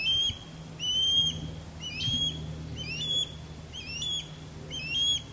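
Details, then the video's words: Male osprey in courtship sky dance over a backyard, with a female calling from a longleaf pine: loud, clear whistled upslurred notes with a sharp hooked end, repeated about once a second in a steady series over faint low hum. "Osprey Sky Dance And Mating Calls"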